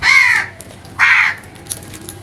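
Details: Crow giving two loud, harsh caws about a second apart, each hoarse and slightly falling, with faint background noise between them.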